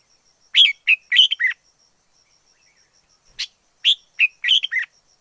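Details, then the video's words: Wild red-whiskered bulbul giving two rapid bursts of rich, slurred whistled notes, each of about four to five syllables, split by a pause of roughly two seconds, over a faint high steady tone. "Chào mào rừng hót hay nhất 2020. Noog diab quaj zoo kawg li"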